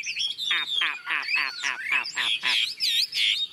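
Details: Tame caged Chinese Hwamei, newly arrived with a new owner, singing outdoors as heavy rain begins; a rapid run of loud, ringing, down-slurred notes, about three per second, then higher looping whistles.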